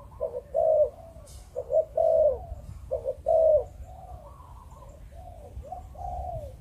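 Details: Spotted dove from Malaysian breeding stock giving the Vietnamese 'Chụp Chụp Ô' coo style: low, hoarse coos in short phrases, each an abrupt note followed by a longer drawn-out falling coo, repeated three times and then softer.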